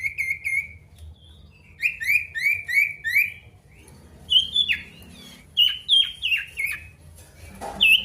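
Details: Male pied bush chat in full, lively song, calling out to a rival: clear whistled notes around one pitch, then a series of quick down-slurred whistles, five or six in a row, followed by sharper falling phrases and a final high note.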